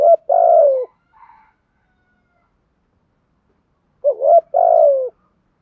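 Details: Spotted dove used as a decoy to lure wild doves, giving two clear cooing phrases: low, hooting, slightly descending notes around two syllables each, separated by about three seconds of silence.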